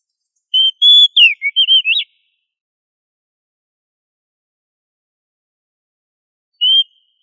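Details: Oriental magpie-robin singing gacor ngobra, played to train kacer to sing loudly: a quick phrase of short level and swooping whistles lasting about a second and a half, then long silence and one lone whistle.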